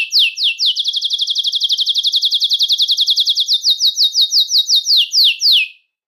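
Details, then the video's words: Belgian canary song meant to attract and call canaries: a long, even trill of downslurred notes that speeds up, then slows into spaced, louder sweeping notes before stopping. "CANTO PARA ATRAIR E CHAMAR O CANÁRIO BELGA"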